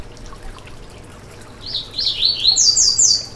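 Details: Yellow-bellied seedeater, known as coleiro baiano, sings for warming up a kept bird: quiet hiss, then a rapid sequence of swooping whistles rising to a bright, high, rattling finish.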